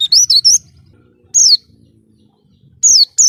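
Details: Short excerpt of Oriental white-eye tutoring song for cage birds: three quick high wavering whistles, then a lone drawn-out falling note and two more clear notes at the end.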